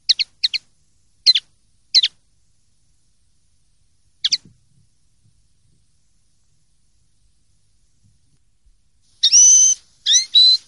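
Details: Common linnet opening with quick high twittered chips, then a pause, then a louder run of sustained whistled notes with bending pitch near the end.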